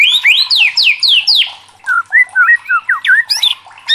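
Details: Agitated caged white-rumped shama singing rapid descending whistled slurs, about four per second, followed by short rising and falling whistles.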